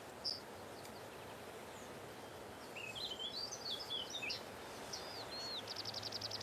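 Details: A Eurasian skylark in Bavaria's Mindel valley sings in territorial song flight, defending its territory with a high, rapid stream of varied chirps and slurred whistles ending in a fast buzzy trill over steady wind-like rushing; finding: Eurasian skylark.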